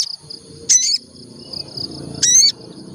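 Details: Olive-backed tailorbird singing lure: two loud, harsh, buzzy notes about one and a half seconds apart over a faint pulsed high trill and a low background murmur.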